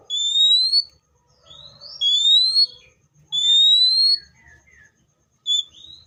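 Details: Seychelles magpie-robin repeating a loud, pure, upslurred whistle roughly every one to two seconds, with quieter sliding notes between.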